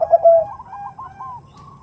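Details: Female zebra dove (perkutut) calling a male, the 'nutut' lure sound. A single brief coo slides into a fading, rolling trill.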